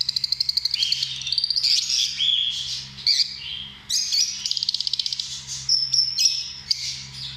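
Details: Lovebirds, small social parrots, chattering loudly in quick rattling trills, squeaks and short rising whistles, the shrill phrases following one another almost without pause, over a faint steady hum.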